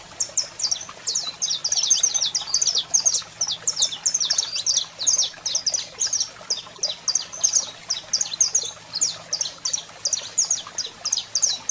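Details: Saffron finch, male singing while a female calls, kept birds: dense, rapid run of high sharp chirps and short downslurred notes, repeated without pause for nearly twelve seconds, with a faint low hum behind.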